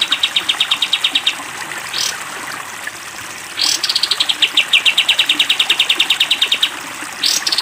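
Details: Sooty-headed bulbul, caged, in a long 'tembak panjang' song style used as a training recording for cage birds: fast, even, buzzy trills near one pitch, about eight notes a second, broken by brief rising rushing bursts.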